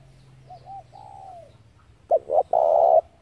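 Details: Spotted dove calling, recorded as a lure for trapping doves: faint arched coos first, then two short clipped coos leading into one long, loud, steady coo near the end.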